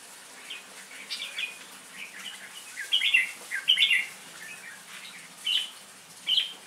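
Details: Red-whiskered bulbul in competitive singing, a lure bird: scattered short chirpy phrases with sharper bright notes clustered near the middle and end, set against faint low humming.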